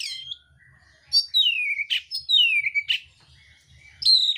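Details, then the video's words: Oriental magpie-robin singing a fighting contest song with rough varied phrases: long whistled notes sliding downward, interspersed with harsh buzzy bursts, ending on a high clear whistle; faint low hum behind. "kacer mintal tarung bongkar isian kasar"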